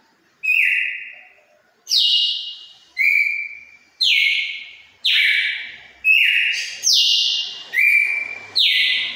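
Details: Red-cowled cardinal from the Pernambuco region delivering its wild five-note song ending in a turril: loud, clear slurred whistles repeated about once a second, alternating high and lower pitches.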